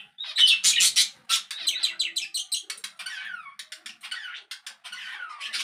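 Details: Caged budgerigar in a breeding setup warbling: loud, harsh chirps at first, then a rapid run of short clicks and squeaky notes with repeated downward-sliding whistles, about three notes a second.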